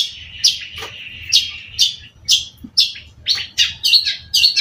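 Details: Energetic song of a cendet from Indonesia: harsh, scratchy high notes repeated about twice a second over a steady buzzing tone, with a low background hum.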